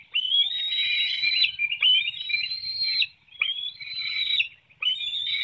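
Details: Bald eagle at a webcam nest in Hanover, Pennsylvania, 7:04 a.m. on 9 June 2019, while an adult brings a small fish and feeds the young. Long, high, thin whistled squeals come in bouts of about 1.5 seconds, separated by short gaps.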